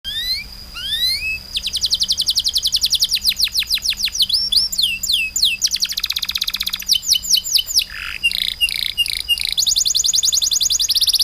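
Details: Songbird singing long, rapid series of high whistled notes, each sweeping steeply downward, repeated many times per second in shifting runs, with a brief lower rasp and a steady faint high tone throughout.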